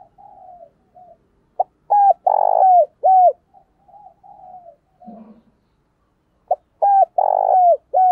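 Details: Caged decoy spotted dove cooing to call and lure others. Its clipped, mellow coos come in two clusters, each with a broad loud middle note and downward-curving endings, with softer murmured coos between the bursts.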